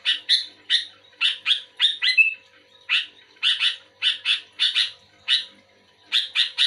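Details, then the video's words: Active sooty-headed bulbul answering another bulbul with rapid runs of sharp, raspy chirps in doubles and triples, plus one brief slurred whistle near the middle. "Suara burung kutilang gacor aktif merespon kutilang bahan omyokan macet malas bunyi auto bunyi gacor"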